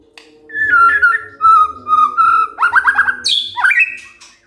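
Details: White-rumped shama singing in the morning to provoke silent birds: steady level whistles, then a rapid burst of descending slurred notes and a high sharp rising whistle; low hum and soft thumps behind.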